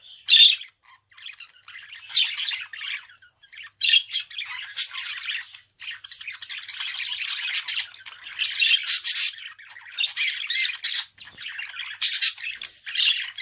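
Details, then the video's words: Budgerigar in a long, rambling warble: continuous scratchy chatter mixed with clicks, buzzy trills and sudden loud squawks, running without pause. "Kuş sesi - Muhabbet Kuşu"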